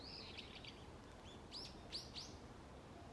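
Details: Wild birds in a forest early on an autumn morning. High whistled notes run in a quick series, then three sharp, steeply swooping chirps follow, all faint against a steady background hiss.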